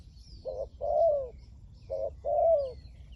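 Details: Spotted dove used as a decoy to draw in wild doves, 'liu tan' style: two coo pairs, a short flat note then a longer swelling, slightly dropping coo, over a quiet low rumble.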